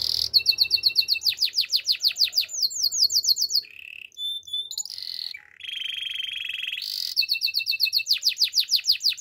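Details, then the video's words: Strong Belgian canary training song of pulsed rapid trills and downslurred notes in rhythmic runs, a steady lower rolling tour midway, then the fast pulsed trill returning, on a clean background. "Belgian canary's most powerful song for training"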